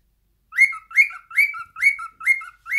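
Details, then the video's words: Six evenly spaced whistled notes from a singing pet cockatiel, about two and a half per second, each rising sharply and trailing off into a lower, softer tone. "Cockatails Singing.."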